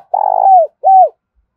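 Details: Part of a decoy spotted dove's luring call used to attract wild doves for trapping: a long, throaty, trembling coo that slides downward, then a shorter rounded coo that arches and falls. The background is quiet.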